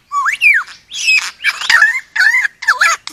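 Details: Lyrebird, a forest bird of Australia, giving harsh, buzzy squawking phrases, each rising and falling, in five bursts over about three seconds.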